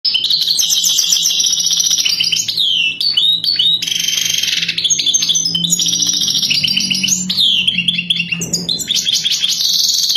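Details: European goldfinch of the Wadani type singing for mating: a dense, continuous stream of fast twittering, trilled and buzzy notes with quick rising and falling slurs, running without pause through the whole stretch.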